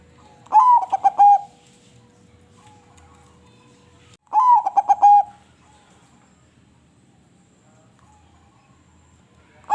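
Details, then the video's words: Zebra dove, a crossbred bird, singing a melodious song: two short phrases about four seconds apart, each a quick rising note followed by rapid stuttering low coos, against a faint background hum. "Burung Perkutut krosing Suara Merdu"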